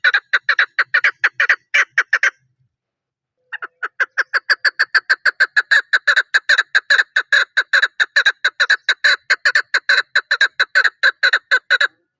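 A chukar partridge gives a rapid, harsh clucking series, about two notes a second, stopping briefly and then resuming.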